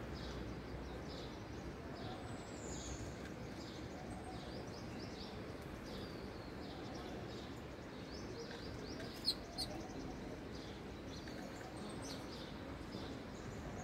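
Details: Sparrows at a sparrow house: many short, bright chirps and tweets repeated in a busy, overlapping chatter over a constant low hum and background noise.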